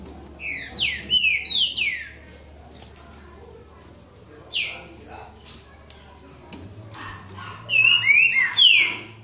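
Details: Singing duel of a boca mole style green-winged saltator, João Monlevade: clusters of clear slurred whistles, some rising and some falling, come in bursts with pauses between, with a low steady hum and faint voices behind.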